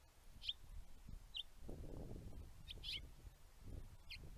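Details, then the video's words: A male house finch gives sharp, high chirps about once a second, some doubled, over a steady low rumble of wind or background noise. "male house Finch chirping"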